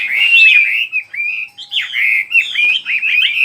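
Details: Continuous warbling bird song: long slurred and trilled phrases sweeping up and down, joined with few pauses, a short gap midway, then faster chattering notes to the end.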